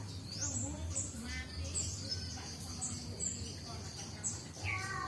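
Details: A juvenile Cinereous tit (Gelatik Batu) practising its song, having just begun ngombyok: high, rising sweeping notes repeated roughly once a second, with faint murmuring and a low background hum.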